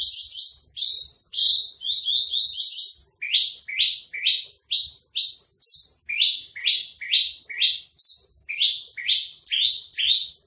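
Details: Javan bush lark of the spotted (trotol) type, kept caged in Tambun, singing a training song: long, steady run of short upward-sweeping chirps, first in quick bunches, then regularly spaced near two per second, with faint low knocks.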